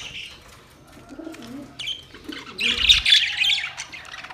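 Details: Budgies calling to one another: a quiet start with faint low coos, then a loud, rapid burst of high, rasping chatter.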